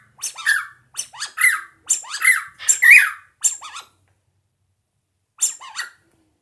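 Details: A cockatiel sings to a squeaky rubber duck on its first encounter with the toy: a string of squeaky, rasping chirps in quick bursts, then a pause before a final pair.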